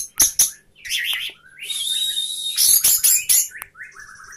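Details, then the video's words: Caged orange-headed thrush, 'sapu jagat' style with open tail, mixes sharp clicks, a long rising hissy whistle and mimic-like chirps, ending in soft falling notes; faint background hum. "anis merah sapu jagat, buka ekor"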